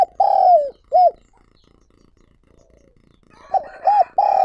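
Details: Spotted dove used as a lure for wild doves: a long falling coo and an arched coo, near-silence for over two seconds, then a fresh phrase of quick arched coos ending in a sustained note.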